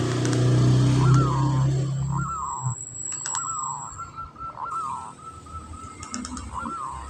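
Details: Breeding-condition local zebra dove, 'kantong semar' type, delivering spaced, slightly slurred coo notes in a loose repeated series, with a low droning sound at the start and a thin high whine in the background.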